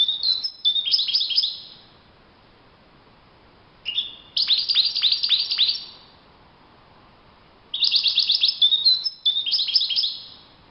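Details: A wild European goldfinch gives high, liquid twittered phrases of quick tinkling and buzzy notes, each about two seconds long, separated by short pauses. The background is quiet.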